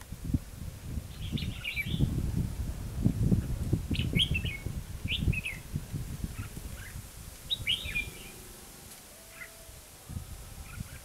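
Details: Red-whiskered bulbul heard while being trapped at Hòa Mạc, Hà Nam. Brief chirpy phrases of clustered notes repeat through the recording over heavy low-pitched rumbling and thumping background noise.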